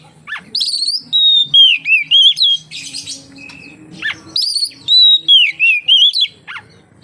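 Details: Oriental magpie-robin song meant to prompt other magpie-robins to sing: two loud bursts of clear, sliding whistled phrases with sharp chips between them, separated by a short rustling pause.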